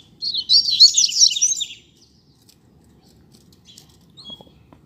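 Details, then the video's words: Rusty-collared seedeater pair on the street: one quick burst of sweet, twittering phrases high in pitch, lasting under two seconds, then near silence with faint clicks and low background hum. "Casal de Coleiro na Rua - Muita Fibra e Canto!!!"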